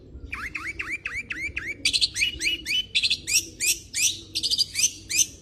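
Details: A long-tailed shrike in full song: repeated downslurred whistles followed by varied harsh, scratchy mimic-like phrases, about three per second, over a low background rumble.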